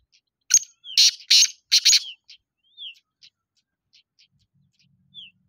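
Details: Black francolin giving a burst of loud, harsh, grating notes in quick succession over about one and a half seconds, followed by a few faint clicks and soft, thin whistled slurs in an otherwise quiet setting.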